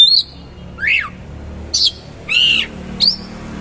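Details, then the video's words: Oriental magpie-robin singing coarse material with rich fillers. Five separate notes: a slurred whistle, a rising-then-falling sweep, a harsh burst, a buzzy, broad note and an upslurred whistle, with quiet gaps between. "KACER GACOR MATERI KASAR ROLL TEMBAK ISIAN MEWAH"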